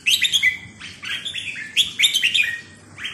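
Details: Red-whiskered bulbul singing a rapid series of bright, warbling whistled phrases, with quick rising and falling notes repeated in short bursts.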